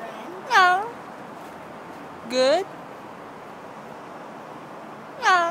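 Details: Talking parrot at a wildlife exhibit greeting visitors; three separate spoken-sounding "hi" calls with rich harmonic tones, spaced about two seconds apart, over steady background noise.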